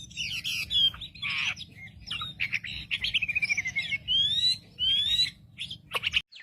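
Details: Wambi bird singing a lure to provoke rivals, with buzzy harsh bursts, a rapid rattling series, and several clear rising whistled slurs, interspersed with sharp clicks over a low hum.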